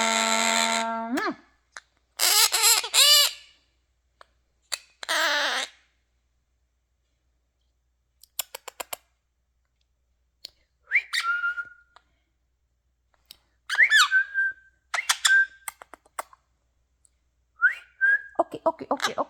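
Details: Quaker parrot singing and talking at home: a held harmonic whistle, raspy squawks, scattered clicks, then repeated short rising whistled phrases that level off, in irregular bursts.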